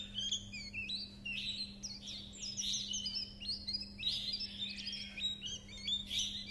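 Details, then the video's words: Japanese white-eye singing in the chattering style known as líu chuyện: a continuous, rapid run of high, thin whistled notes, sliding up and down and tumbling together without pause, over a steady low electrical hum. "Âm thanh Khuyên líu chuyện"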